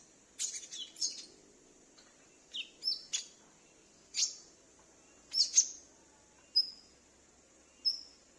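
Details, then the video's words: Captive konin (Brown-throated Sunbird) recorded at home as a lure for wild birds: spaced single high, thin chips and short downward-sliding notes, about one every second, over a quiet background. "Pancingan Konin Macet / Konin Bahan dan suara pikat"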